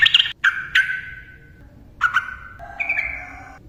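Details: Yellow-vented bulbul, recorded as a lure for silent birds: a few loud, clear whistled notes that slide downward and trail off, separated by short gaps, then a level two-toned whistle.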